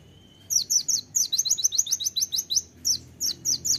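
Van Hasselt's sunbird giving rapid, sharp, very high chirps, about four a second in quick bursts with brief pauses between runs.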